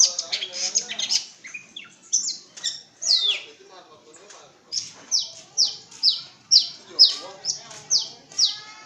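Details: Long-tailed shrike in East Java sings mixed chatter, then settles into a series of sharp, downward-sweeping squeaks repeated roughly twice per second.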